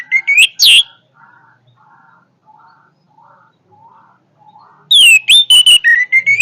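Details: Orange-headed thrush giving powerful song: loud rising whistles at the start, a quiet run of soft, low, repeated notes, then a fresh burst of rapid, bright whistled phrases.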